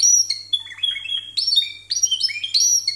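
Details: Contest Timbrado canary song of the discontinuous style, 92 and 93 points: choppy metallic notes and short trills in quick separate bursts, with a low electrical hum beneath.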